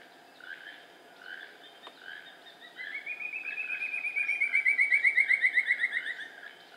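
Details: An ivory-billed woodcreeper (Xiphorhynchus flavigaster) in Cerro Azul Meámbar National Park, 18 February 2017, gives a long, rapid series of ringing notes that rise then slowly descend, with softer chirps before and a steady background hum.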